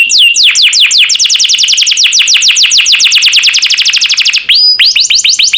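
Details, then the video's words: Master canary song used to train birds: a long rapid trill of sharp descending high notes, evenly repeated about seven per second for over four seconds, then a short pause and a new phrase of rising whistled notes. "MASTERAN KENARI JUARA"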